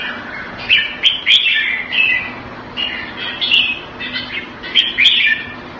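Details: Caged red-whiskered bulbul kept Thai style in Singapore, recorded February 2018. It sings cheerful warbled phrases of two or three notes at irregular intervals, with a broad background hiss underneath.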